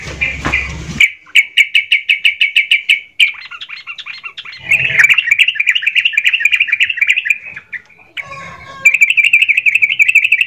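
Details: Agitated yellow-vented bulbul singing to provoke other bulbuls: long stretches of fast, steady, sharply clipped notes that merge into buzzy chattering phrases, with a brief rustle partway through.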